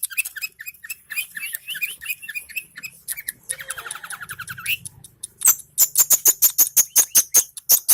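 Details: Long-tailed shrike song: rapid, varied chattering notes, then a dense trilled rattle, ending in a fast series of sharp, very high ticks repeated about three times a second, over a faint low hum.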